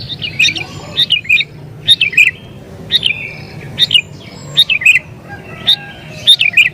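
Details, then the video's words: Sooty-headed bulbul in agitated song for luring wild birds; lively, tumbling three-note phrases, high then dropping, repeated near every second with faint background chatter. "Burung Kutilang Gacor Isian Cocok Buat Pikat Burung Kutilang Liar"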